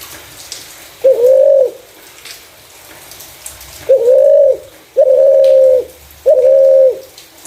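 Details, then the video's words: Spotted dove with a clear voice, used as a decoy for other doves. Four flat, sustained coos with a rising lead-in, in irregular rhythm: one early, then three close together after a pause of over two seconds. "Burung Terkukur // Suara jernih cocok untuk pancingan"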